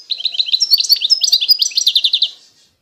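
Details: Constantine-style European goldfinch from eastern Algeria delivering an unbroken, fast, tinkling warble of high chirps and rolled trills for over two seconds, fading out at the close; no other sounds.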